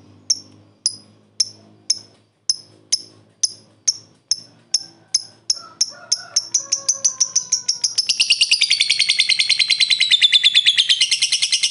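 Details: Lovebird in ngekek fighter style, calling to provoke rival birds: a series of sharp, evenly spaced high chips that speed up over several seconds and then run together into a long, loud buzzing trill.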